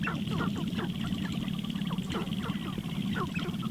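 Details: Morning lek of sharp-tailed grouse where eligible males perform intense courtship displays before a visiting female; a dense, overlapping chorus of quick clucks and cackles sits above continuous low pattering.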